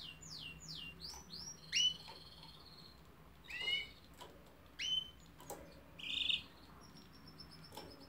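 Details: Canary singing in scattered phrases: quick descending whistled sweeps, then brief bright trills and short notes separated by pauses, over faint low background hum.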